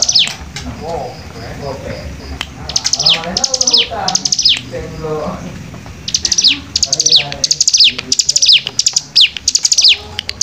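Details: Bar-winged prinia singing in dense 'nembak rapat' bursts: sharp, high, down-slurred notes repeated roughly every second, in runs of three or four, with softer lower chattering notes between the runs.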